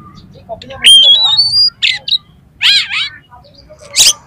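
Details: Oriental magpie-robin singing mimicked material as a lure for competition magpie-robins: a long rising clear whistle, then rasping buzzy slurs and a harsh final burst, with a soft low hum throughout.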